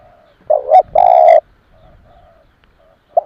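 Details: Spotted dove cooing to lure wild doves: one loud phrase with a rising double coo and a long rolling coo, followed by faint, softer coos in the background.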